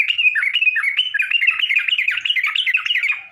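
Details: Sooty-headed bulbul song played to provoke other bulbuls, an unbroken, dense stream of rapid bubbly warbles and chirps with no pauses, loud and close.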